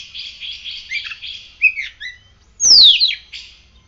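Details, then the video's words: Kept oriental magpie-robin singing freely after morning sunning and morning dew care: a run of buzzy, rasping notes, then a loud, high whistle that slides steeply down, followed by a short chirp. "Kacer gacor"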